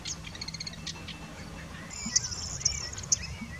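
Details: Woodchat shrike, locally called bouares or boulhenni, singing at Chekfa in Jijel: a few stacked, harmonic chirps early on, then sharp high pips and short slurred whistles, fairly faint over a low background hum.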